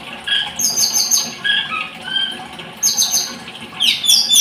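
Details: Blood-breasted flowerpecker singing high, thin notes in short clusters, with sharp chips and brief descending whistles repeated at uneven intervals.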